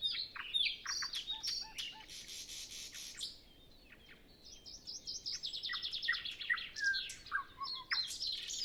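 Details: Dawn nightingale recorded before sunrise, no wind, other birds not yet singing: phrases of repeated notes, low soft piping, a dense buzzy rattle, a pause, then a long rapid trill and varied whistles.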